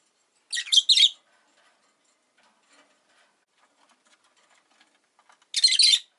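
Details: In a window-side cage holding five rosy-faced lovebirds, on a quiet afternoon, a doubled harsh chirp is heard, faint rustling follows, then a longer grating squeal.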